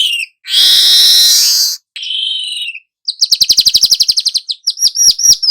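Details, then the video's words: Young weaver singing actively, kept as a lure to prompt other birds. A long harsh rasping hiss, a short buzzy note, then a fast rattling trill of about fourteen pulses and several sharp chips. "Burung manyar muda AKTIF NGEROL pancingan segala jenis burung"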